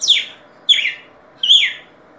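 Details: Red-cowled cardinal singing: three clear slurred whistles, each sweeping down from high to middle pitch, spaced roughly 0.7 seconds apart, over a quiet background.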